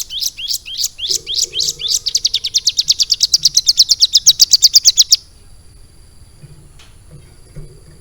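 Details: Mountain prinia kept and trained for three months with a lovebird-style song, giving a rapid run of bright high chirps that speeds into a dense trill, then stops abruptly, leaving near silence with a faint hum.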